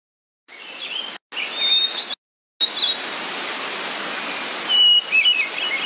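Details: Hermit Thrush song: short clear whistled notes near the top of the range, then a lower falling flurry of fluty notes, heard over steady loud hiss that cuts out twice.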